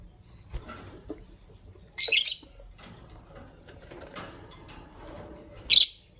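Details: Green Personata lovebird and albino lovebird in the morning; two loud, shrill, high chirps about three and a half seconds apart over faint rustling and low background hum.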